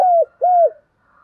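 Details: Two smooth, arched spotted dove coos, each about a quarter second long and gently falling at the end, delivered in the 'thổ' voice with a faint steady background tone.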